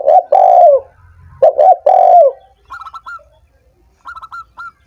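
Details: Spotted dove sound used to stimulate caged doves that are lazy or slow to sing: loud, low hooting coos, two-part then a longer drawn phrase, followed by quick high chirps from another small bird in short bursts.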